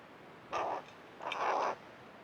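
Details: Tame hooded crow hanging around its bird bath, an oven-safe dish lid. It gives two harsh, hoarse calls about a second apart, the second longer and drawn out, with a quiet background.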